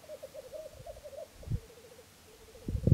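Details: Dawn display of three black grouse cocks at a Florarna lek, 17 April 2013: a short stretch of warbling, bubbling coos that fade and return, broken by dull low thumps.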